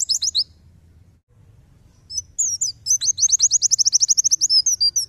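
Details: Tembakan-style song of a white-eye, made for training songbirds: a brief high flourish, a short gap, then a long, rapid, even string of sharp downslurred notes, very high-pitched, over a quiet low rumble.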